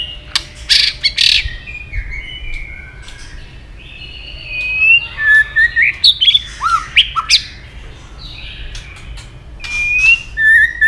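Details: White-rumped shama, female voice played to excite males and fire them up for fighting; a mix of whistled slurs, sharp rising and falling notes and scattered chirps over a faint background hum.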